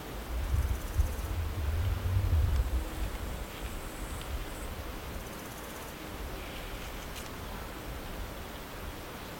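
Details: Low wind rumble with soft rustling, strongest in the first three seconds, then a quiet steady hiss with no animal voices.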